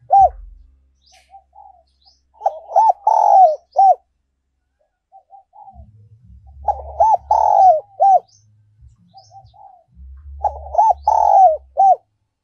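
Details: Spotted dove decoy song in the 'giọng còi' or 'giọng kim' style, 2022: three clear phrases roughly four seconds apart, each of soft lead-in notes, hooked coos, a drawn-out croon and a closing coo.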